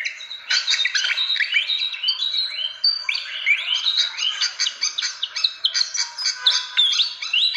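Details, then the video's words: Fantail calls used to lure birds: rapid, crowded chirping with upswept and downswept whistles running steadily without a break. "SUARA PIKAT BURUNG KIPASAN SIKATAN"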